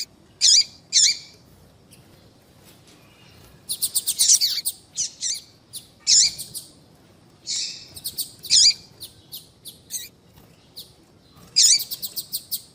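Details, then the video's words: Calls of a female papa-capim (seedeater), meant to set males singing: high, thin chirps in pairs and short stuttering series, separated by brief silences. "Piado de fêmea de papa capim vai deixar seu papa capim cantando Muito RÁPIDO !"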